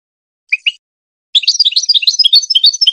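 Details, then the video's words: Goldfinch song used for teaching hybrid chicks to sing: two brief high chirps, a pause, then a fast rapid run of bright, twittering notes. "The best singing to teach hybrid chicks and goldfinch"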